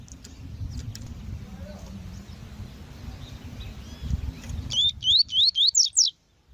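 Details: Double-collared seedeater in tui-tui song for training, with a female on the recording: after a stretch of low background rumble and faint chirps, a loud burst of seven quick upslurred whistles rising in pitch.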